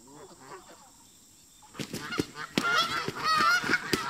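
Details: Park geese fighting with migrating visitors: soft honks, then a burst of loud flapping thumps and excited overlapping honking and cackling.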